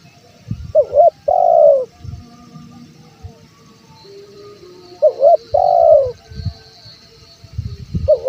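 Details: Male spotted dove's calling phrase, played to draw in wild doves: two soft cooing phrases with a drawn-out falling middle note, separated by quieter murmurs and occasional low thumps.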